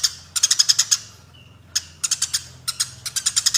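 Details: Brief clip of fighting Eurasian tree sparrows: a tight string of seven harsh chirps, a pause, then several short runs of three or four chirps.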